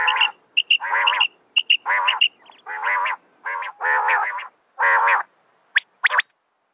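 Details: A female common quail calling at night, recorded for quail hunting, gives nasal, rasping notes about once a second, mixed with short, thin whistled pips.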